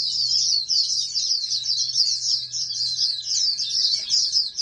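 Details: Oriental white-eye from a breeding operation, described as a future national champion, singing a continuous, very fast, high twittering warble that runs unbroken through the whole stretch, over a faint steady low hum.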